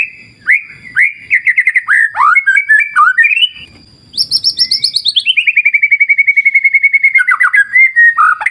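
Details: White-rumped shama singing, used to lure other birds into song: rich whistled phrases, then a fast, even trill of about a dozen notes per second that slowly falls and ends in rising slurred whistles.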